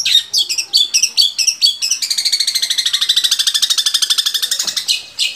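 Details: Long-tailed shrike song meant to stimulate captive shrikes: about two seconds of quick, choppy, whistled notes, then a long, even, buzzing rattle of rapid pulses lasting nearly three seconds, ending with a couple of short scratchy notes.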